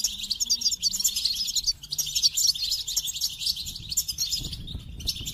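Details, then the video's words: Goldfinch in full song, a dense, unbroken stream of bright twittering and rapid trills, with a faint low cooing in the background. "The Captivating Call of Goldfinches"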